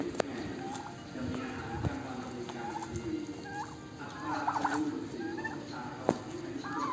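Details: Turkeys during mating, giving short tonal calls and brief chirping notes scattered through the clip, some rising and falling, over a steady low background hum with a few sharp clicks.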